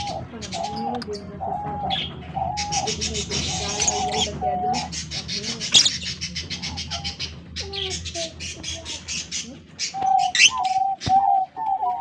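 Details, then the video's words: African lovebirds in a breeding colony aviary in Larkana, giving dense bursts of shrill, buzzy chirps in rapid runs, mixed with steady whistled tones and some human voices in the background. "African Love Birds colony Breeding Setup and beautiful chirping sound voice"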